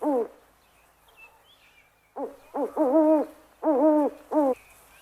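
An owl gives a single low hoot, then after a pause a run of five short hoots, some with a slight waver; faint high chirps sound in the background.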